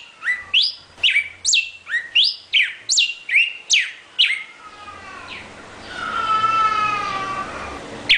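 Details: Northern cardinal singing a series of about eight clear, loud, down-slurred whistles, each around half a second apart, followed by quieter background rumble and a faint drawn-out lower whistle.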